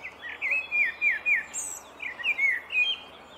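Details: A male Eurasian blackbird preening on a branch near the Speke obelisk pauses to sing two mellow, fluty warbled phrases, the first ending in a brief thin squeaky flourish, over light hiss.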